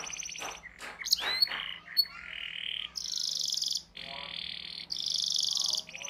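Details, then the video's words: Canary singing for young birds in training: scattered sharp chirps and sweeps, followed by alternating high buzzy rolls and slightly lower trills, over a faint low hum. "PANCINGAN Kenari GACOR PANJANG Cuit Cuit EMOSI‼️ MASTERAN Kenari PAUD belajar BUNYI"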